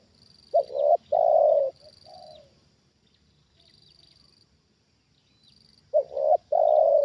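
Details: Trained spotted dove reacting as a wild bird is lured down for the second time: a loud, throaty two-part coo, a softer falling coo after it, then the loud phrase again near the end, over a steady thin high whine.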